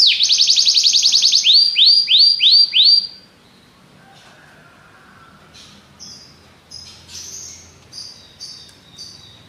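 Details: Belgian canary gives a rapid high trill followed by several drawn-out descending swept notes, then falls quiet except for faint, scattered high chirps.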